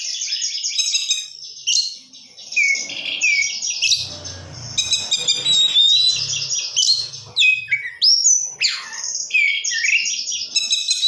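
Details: Oriental magpie-robin in rich, full song: high, dense medley of whistles, chattering notes and quick slurs, barely pausing, with a faint low rumble in the background for a few seconds.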